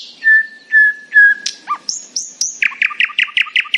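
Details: Nightingale singing happily at morning: three long pure whistles on one low pitch, then high sharp notes and a run of rapid regular chirps.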